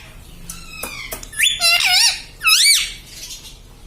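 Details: Talking pet parrot that says mummy, papa and radhe radhe: faint clicks first, then two loud, wavering, voice-like squeals rising and falling in pitch.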